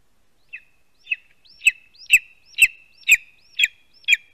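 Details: Lesser spotted eagle chick calling from its spruce nest in Latvia as a vole is delivered, midday on 2 August 2020, live nest camera; eight loud, piercing high yelps roughly every half second, growing louder, with faint clicks between.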